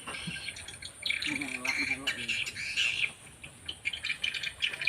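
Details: Edible-nest swiftlets inside a four-storey swiftlet house in Banyuwangi, East Java, Indonesia. Shrill twittering chirps come in dense waves, with a short low murmur in the middle and scattered sharp chirps near the close.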